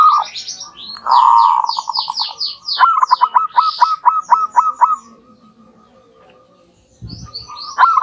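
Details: A local zebra dove pair in full voice answering each other in a duet: a loud burst, then a fast staccato string of clipped cooing notes that fades, with scattered high chirps above and a short silence before singing resumes.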